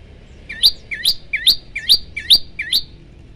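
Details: Six crisp, rising chirps from a prinia (prenjak lumut), evenly spaced about half a second apart in a chatty 'tembakan' run, with quiet ambient noise beneath.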